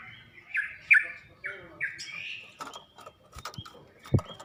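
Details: Yellow-vented bulbul song meant for teaching captive birds to sing: a few warbling chirpy phrases at the start, then scattered clicks and knocking sounds with faint thin notes.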